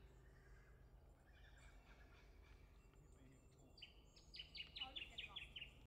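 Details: Shining Bronze-Cuckoo at Bolin Bolin Billabong, Melbourne, Victoria, Australia, 29 September 2021, gives a quick run of about eight high, thin whistles, each slurring down and the series gently falling, over faint distant birds and a low hum.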